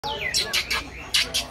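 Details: Common iora, known locally as cak ijo, in an isian-style song: sweeping whistled slides followed by bright, buzzy high bursts repeated every few tenths of a second.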